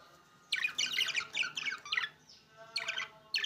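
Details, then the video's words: Budgerigars of opaline green and opaline blue colouring giving a quick run of scratchy, high chirps and twittering notes, a brief pause, then a few more sharp chirps. "بادجي اوبلاين جرين اوبلاين بلو"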